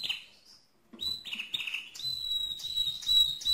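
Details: A mosaic canary opens with soft whistled phrases, then launches into a loud, steady, high whistled tone broken by quick chirps, swelling in strength toward the end.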